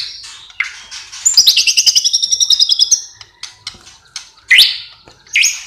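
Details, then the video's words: White-rumped shama in lively song with imitated phrases: a downward whistle, a fast rattling series of bright high notes, then separate sharp rising whistles after short gaps. "MURAI GACOR BONGKAR ISIAN !!! MURAI BATU ISIAN MEWAH FULL TEMBAKAN"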